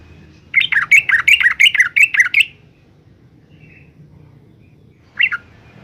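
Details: A young Yellow-vented Bulbul in Semarang, Central Java, gives a quick run of about nine bubbly, liquid notes over two seconds, then a single short note after a pause.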